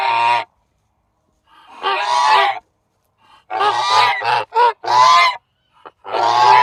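A goose gives loud, harsh, nasal honks in irregular bursts of about a second, some clipped short, with silent gaps between.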